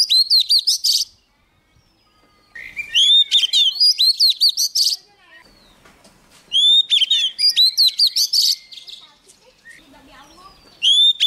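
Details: Oriental magpie-robin, a young bird, singing hard while a wild bird approaches: four bursts of rapid, high, tumbling notes and whistles, each lasting one to two seconds and separated by quiet gaps.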